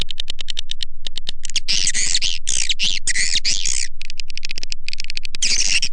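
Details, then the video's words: Lure call for attracting swiftlets, shared with Indonesian swiftlet farmers: rapid regular chirps alternating with thick, rasping twitter bursts, the pattern repeating without pause. "SUARA PANGGIL WALET"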